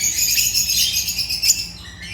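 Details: Agapornis lovebirds in a brief burst of dense, high, scratchy chattering that fades toward the end.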